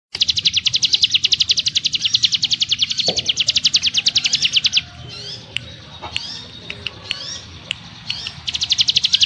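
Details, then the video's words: Ciblek gunung (mountain prinia) in ngebrem style, a dense, rapid train of high buzzy pulses for about five seconds, then scattered thin whistles and chirps before the rapid trill resumes near the end. "Burung CIGUN ngebrem nembak rapat - ciblek gunung master suara TEGAS"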